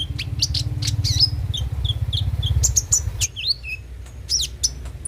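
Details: Kolibri ninja (konin) song meant to stimulate birds to sing: fast sharp chirps and rising then falling whistled slurs, loud early then sparser, over a low droning hum.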